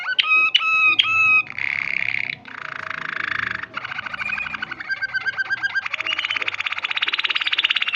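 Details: Canary singing: a few loud, ringing, repeated notes open the phrase. Buzzy rolled passages follow, then a fast, pulsing trill that runs steadily to the end.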